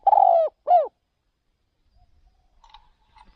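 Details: Spotted dove used as a caged decoy bird, taken to another province for luring wild doves; two loud husky coo notes, a long slurred one then a short falling one, followed by quiet with faint distant sounds.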